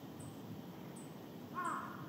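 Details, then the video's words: A Great Egret gives a single low, harsh, croaking squawk near the end, over a steady low rumble and a faint high ticking. "Great Egret"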